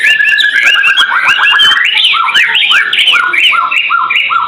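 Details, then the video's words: Actively singing white-rumped shama, a master recording meant to fill pet birds' songs: rising whistled phrases at first, then a series of clear, evenly spaced arched notes repeated roughly twice a second. "Murai Batu gacorrr"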